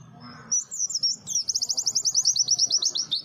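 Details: Pleci white-eye singing sweetly: a short warbled phrase, then a fast, regular high trill of repeated chirps for about two seconds, slightly descending; faint low background hum.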